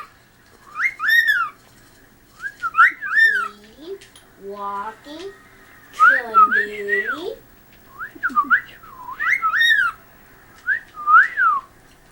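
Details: A pet cockatiel that loves to sing whistles a series of clear, arching notes that rise and fall, repeated in short phrases.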